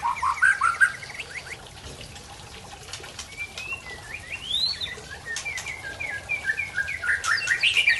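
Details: White-rumped shama from Tangse, Aceh, showing its learned song repertoire: varied clear whistled phrases, slurred rising and falling notes and quick upswept chirps, with a brief loud burst at the start and faint rustling behind.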